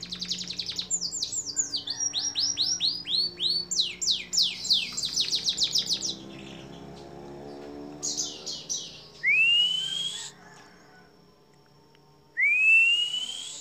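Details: Long training recording of canary song for songbirds: rapid rolls of falling high notes for several seconds, a brief buzzy phrase, then two separate loud rising whistles with quiet between them.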